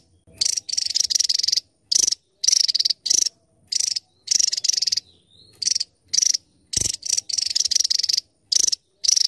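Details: Javan tesia singing a loud, piercing series of high, rapidly pulsed buzzy phrases, some long and some clipped, delivered almost without pause; a soft low thud is heard once.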